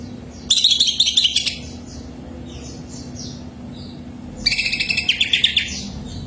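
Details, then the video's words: Cucak ijo, the greater green leafbird, singing to provoke other birds into song: two dense bursts of fast, high, rattling chirps separated by a few soft descending whistled notes over a low background hum. "SUARA BURUNG CUCAK IJO PH || MEMANCING AGAR PH MU GACOR SEUMUR HIDUP!!!"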